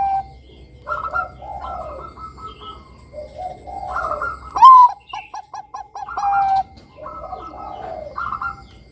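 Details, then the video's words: Zebra dove, a Bangkok-type perkutut, in full song, played as a lure to draw young doves into singing: bubbly rolling coos around mid pitch, a sharp rising note, then quick repeated clipped notes and further trilled phrases. "Pancingan Suara Perkutut Bangkok Kutut Bangkok Gacor Manggung Bagus Buat Mancing Kutut Remaja Bunyi"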